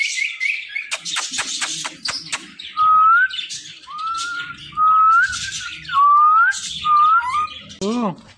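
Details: A talking parrot pair: clicky rasping bursts give way to clear upslurred whistles, about five in sequence, ending in a brief low meow-like note.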